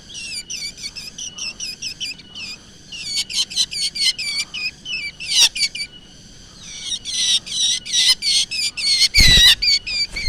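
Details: Black drongo calls used as a lure: rapid bursts of high, chirping, harmonic notes repeated several times per second in clustered runs, with brief harsher noisy notes partway through.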